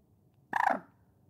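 Common Moorhen giving a single harsh, rattling croak, rapidly pulsed and mid-pitched, lasting about a third of a second against a quiet background.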